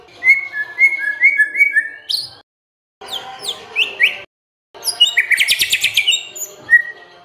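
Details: White-rumped shama song used as a lure for other birds to sing: repeated falling whistles, short pauses, then sharp rising notes and a dense buzzy trill ending in a clear whistle.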